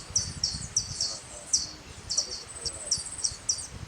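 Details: Male ruby-throated hummingbird chirping, its call held up as different from others: thin, very high chirps, about ten in four seconds in uneven bursts, over a low background rumble.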